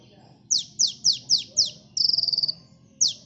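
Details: Sunbird (kolibri) song recorded as a lure for bird catching: five sharp, high, downslurred whistled notes in quick succession, then a fast buzzy trill lasting half a second and one more downslur.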